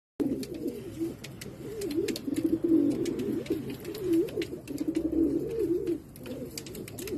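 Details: Pheasant pigeon (Otidiphaps insularis), call.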